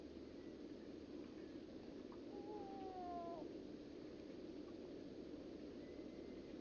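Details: A horned grebe from a family catching insects at sundown gives one drawn-out, nasal, slightly falling squeal lasting about a second, over a steady low rush of wind or water.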